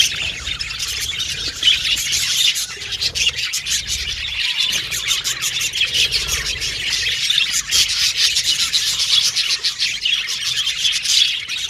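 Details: Budgerigars chirping, playing and communicating with one another: busy, overlapping high-pitched warbling and rapid clicking chirps forming an unbroken chorus.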